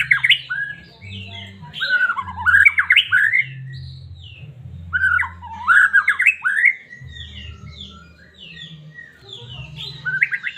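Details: White-rumped shama of the Medan type, whistling to provoke a caged bird into singing: rich, varied phrases of rising and falling whistles in rapid bursts, with pauses, over a steady low hum.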